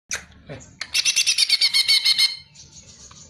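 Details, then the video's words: Greater green leafbird (cucak ijo) song used as a training recording for songbirds: a short buzzy note, then a fast run of about a dozen bright, harsh repeated notes lasting over a second, ending in a thin high trill. "MASTERAN BURUNG CUCAK IJO PALING DI CARI"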